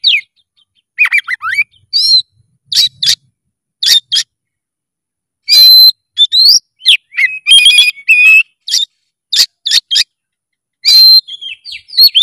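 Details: Oriental magpie-robin in loud, intense song. Scattered sharp whistles and brief chatters are spaced by pauses, with a dense cluster of rapid notes midway through; no other sounds.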